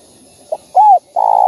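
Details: Spotted dove calling to stimulate other doves: a short soft note, a clear arched coo, then the start of a long, steady, buzzy coo, all low-pitched.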